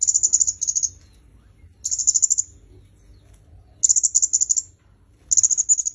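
Red-headed myzomela giving very high, thin rapid twittering bursts around a second long, repeated every couple of seconds, over faint low background hum.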